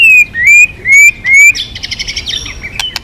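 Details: White-rumped shama, described as aggressive, giving four clear rising whistles in steady succession, then a soft, fast twittering trill.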